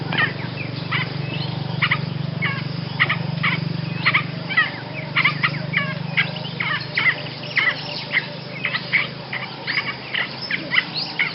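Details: A Basra reed warbler delivers a steady, unbroken stream of scratchy, rasping chatter with quick repeated note clusters, over a constant low mechanical hum.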